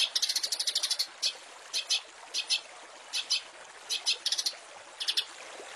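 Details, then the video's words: Recording of a long-tailed shrike used for training caged songbirds: quick trilled bursts and short buzzy notes repeated roughly every half second over a hissy background. "Masteran Cendet full isian mewah"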